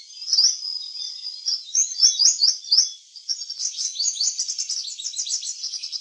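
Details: Garden purple sunbird in eclipse plumage singing a varied song: a few separated bright high phrases, a short pause, then a continuous rapid stream of sharp, tinkling chips.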